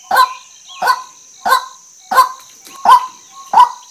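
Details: Female white-breasted waterhen calling: a short, harsh, nasal note around mid pitch, repeated about every two-thirds of a second, six calls in all, over a steady high-pitched background whine.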